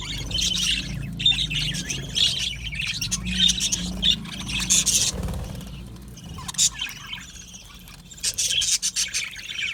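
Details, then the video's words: Budgerigar aviary colony singing: bursts of high, scratchy chatter and chirps come and go, fading to a quieter patch before rapid clicky chirping resumes at the end, with a low hum beneath. "Budgies singing and Chirping Sounds"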